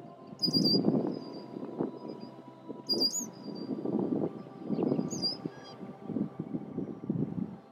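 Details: Warning calls of a male Red-winged blackbird at its nesting area as intruders near: high, sharp, clipped notes repeated in three bursts, over heavy low rumbling and buffeting noise throughout.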